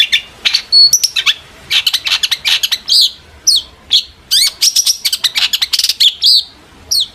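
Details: Excited long-tailed shrike song, used to lure other shrikes to answer; a nearly continuous stream of fast, sharp chirps, ticks and short downslurred whistles in varied high-pitched phrases.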